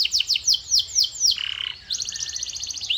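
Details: Quick falling chirps from a singing canary, repeated several times a second, broken by a short rasping note before a rapid, even trill.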